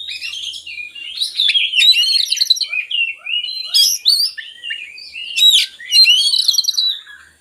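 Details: Oriental magpie-robin in full song, played to encourage lazy birds to sing: continuous, varied warbling of whistled slurs and sharp high chips, with two loud bursts of rapid notes.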